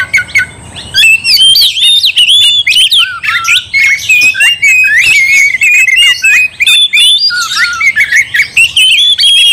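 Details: Oriental magpie-robin in full, rapid song meant to provoke another into fighting: dense varied whistles, harsh chirps and squawky notes packed together, rising and falling, with sharp clicks and a steady high tone in the background.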